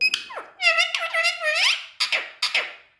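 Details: Indian ringneck parakeet talking in a small room, producing nasal, speech-like harmonic phrases that bend downward and rise again, followed by two brief, rasping, chattering bursts.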